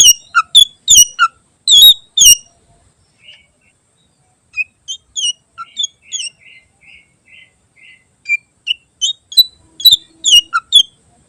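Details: Greater green leafbird delivering a rich, varied song for tutoring other birds: loud clipped chirps, then a soft series of short, even notes repeated about twice a second, followed by bright, twittering phrases.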